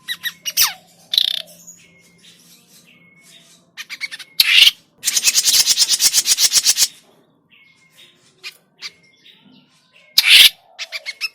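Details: Grey-cheeked bulbul calls used as a lure for trapping: sharp bursts and harsh chatters, a fast even rattle of about a dozen notes, and flat, steady whistled notes between the outbursts.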